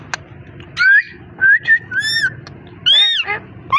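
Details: Ringneck parrot talking and whistling: clear, rising whistled notes and rounded speech-like sounds in short phrases, over a low background hum.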